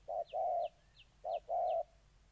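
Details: Spotted dove in Gia Lai, Vietnam, August 2020, a molting decoy meeting an aggressive wild rival: two low cooing phrases, each a brief note followed by a drawn-out one, under faint high chirping.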